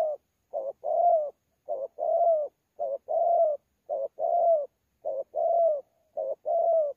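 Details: Spotted dove, wild-caught, cooing contest-style in thổ pha voice with gù, Sa Thầy, 26 November 2019. Seven evenly spaced doublets of mellow coos, a short note followed by a longer steady one, with a quiet background.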